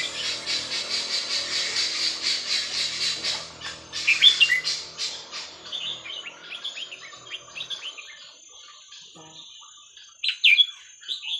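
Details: Red-whiskered bulbul with its 'hua khrok khayao khuat' song style, meant for teaching young birds; opens under dense rhythmic chirping noise, then clear whistled phrases around four seconds and again near the end.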